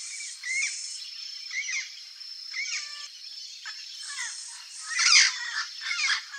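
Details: Turquoise-fronted amazon (Amazona aestiva) eating a banana gives short, squawky chattering notes about once a second, with a steady high insect-like whine throughout.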